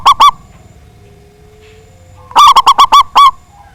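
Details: Zebra dove, local Indonesian stock, loud-voiced singer meant to bait rivals into singing: two quick ringing coos, a two-second pause with faint hum, then a tight run of seven bright, bouncing notes.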